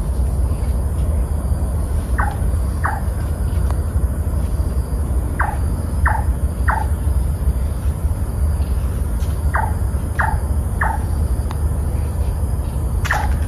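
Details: A large-tailed nightjar at Berlayer Creek, Labrador Nature Reserve, Singapore, at 7.52 pm on 6 August 2023, gives hollow, knocking 'chonk' notes, mostly in runs of three about two-thirds of a second apart, over a steady low rumble of traffic.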